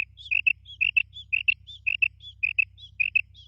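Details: Female quail (batair) calling for a morning hunting lure: clean, evenly spaced double notes each preceded by a thin higher note, repeating steadily over a low hum.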